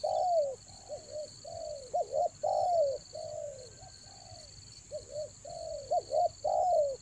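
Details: Spotted dove raja angguk lure calling, used in Toba to bring in doves during the rainy season: rhythmic run of short coos and long mellow downslurred coos, repeated steadily, with a persistent high whine in the background.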